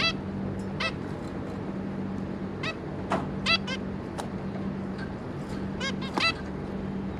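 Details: Adult zebra finch pair and their three juveniles, 26 May 2022, calling sporadically with sharp nasal notes, some isolated and some in tight pairs, with a steady electrical hum beneath.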